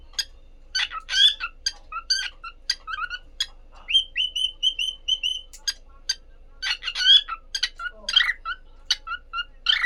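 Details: Two pet cockatiels mixing harsh chirps with a string of about eight bright, level whistled notes in quick succession, then returning to dense overlapping chirping calls; faint low hum in the background.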